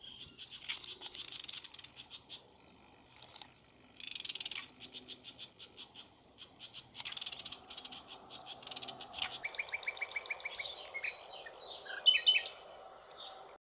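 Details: Great reed warbler singing in reedbed with juveniles: harsh, grating repeated phrases, a quick run of clicking notes near the end, and thin high calls, likely from the young birds.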